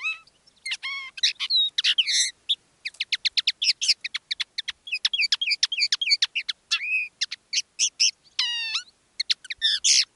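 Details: Common linnet, one of two decoy birds singing live in differing styles: a rapid, varied run of high twittering notes, sharp clicks, buzzy trills and upslurred whistles, nearly unbroken over ten seconds in a quiet setting.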